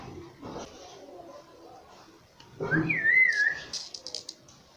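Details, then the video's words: A pet green ringneck parrot known for saying "mummy papa" gives one shrill, rising-and-falling whistled phrase of about a second after a quiet start, followed by a few soft high clicks in a small room. "Nonstop Speaking mummy papa"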